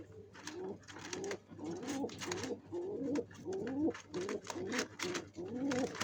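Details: Pigeons building a nest for laying eggs, giving a steady run of low, throaty coos, each a rising-then-falling rolling phrase, about nine in six seconds, with light clicks and rustles between them.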